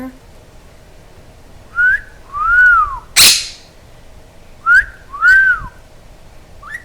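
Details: Pet Quaker parrot indoors, giving clear whistled notes that rise then fall, in two pairs about three seconds apart, with a sharp click between them; a person praises the bird before and after.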